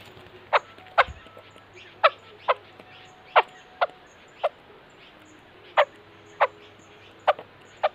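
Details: White-crested laughingthrush giving short, abrupt chuck-like notes at irregular intervals, roughly one every second, each a sharp clipped burst; a faint steady low hum runs underneath.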